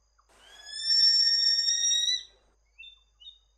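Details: Lesser sooty owl, found in north-east Queensland rainforests, giving a loud, drawn-out steady whistle with a bright harmonic edge, swelling in and holding nearly two seconds before cutting off; two faint short notes come after.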